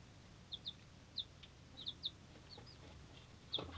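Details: Three-day-old mixed-breed chicks give clear, short, high peeps, often in quick pairs, spaced out over quiet background hiss with faint rustling.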